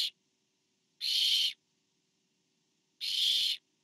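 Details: Barn owl at a nest camera on 24 September 2015, a parent delivering food to an owlet: two long, harsh, hissing screeches about two seconds apart, each roughly half a second, after a brief cut-off call at the start.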